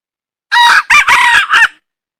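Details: Red junglefowl hen, wild, calling with four loud, harsh, rasping syllables close together, the second and third nearly joined, then falling silent.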